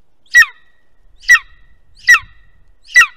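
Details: Golden eagle calling at its nest, recorded by a nest webcam in Estonia, 2021: four shrill, grating notes spaced about 0.8 seconds apart, with faint low thumps in between.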